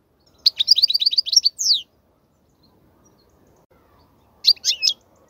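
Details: European goldfinch song meant to tutor young goldfinches: a quick run of repeated tinkling notes ending in a falling slurred note, then a long quiet gap before a brief twitter resumes.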